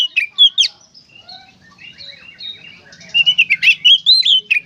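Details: Oriental magpie-robin in gacor konslet song used to stimulate other magpie-robins: a couple of loud whistled notes, a soft murmuring interlude, then a quick rhythmic string of bright, slurred chirps.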